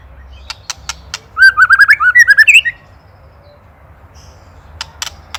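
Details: Training master of an Indonesian white-rumped shama singing ketrekan: sharp isolated clicks, then a brief burst of about ten fast looped whistled notes, followed by near silence and more clicks.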